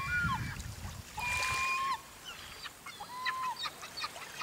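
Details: Gull cries recorded on Rügen, Germany, in November 2012, several long level wailing notes with a quick downturn at the end, spaced about two seconds apart, over a splash of water and a background of softer calls.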